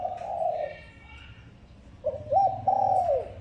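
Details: Spotted dove calling as a lure for trapping: one low coo phrase, a pause of over a second, then a longer phrase opening with a short note and ending in a drawn, falling slur.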